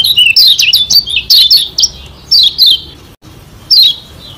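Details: Lombok white-eye (kecial kuning, Lombok), a training song meant to provoke rivals and spur fast singing: rapid bursts of high, sharp, descending chirps and twittering notes, often paired, with short pauses and a longer gap before a final burst.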